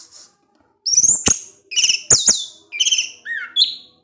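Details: Caged orange-headed thrush giving ngecip ngecis teler song: five short bursts of high whistles mixed with hard clicks, the last phrase sliding down into a lower whistled note.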